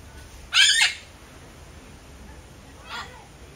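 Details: Single loud, rasping squawk from a red-fronted macaw, about half a second long, followed after two seconds by a much fainter, shorter harsh note against quiet background hiss.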